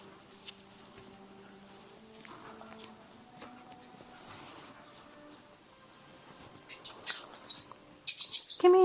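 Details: Young female blue parrotlet just over a month old, fledging and taking early short flights indoors at home. After quiet background hum, high, sharp chirps start and come in rapid bursts that grow louder and denser toward the end.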